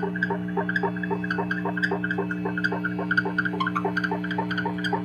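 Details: A pair of wild Barn owls during their mating ritual give quick chittering, harmonic notes, about four a second and unevenly spaced, over a steady low electrical hum.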